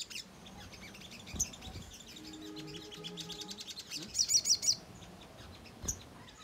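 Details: Ruby-cheeked sunbird chattering as a lure to make birds answer: rapid high twitters over a faint low hum, then a loud bunch of squeaky chirps and a single sharp note.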